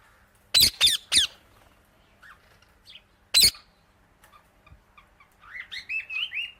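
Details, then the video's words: Indian ringneck parakeet uttering three loud raspy squawks and a single one shortly after, followed by a run of softer rising chirps. "Amazing Parrot Chirping Sounds"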